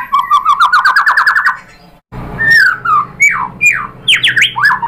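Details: White-rumped shama lure song meant to make other shamas sing: a fast, even series of repeated rising notes, a brief silence, then loud slurred whistles and sweeping notes.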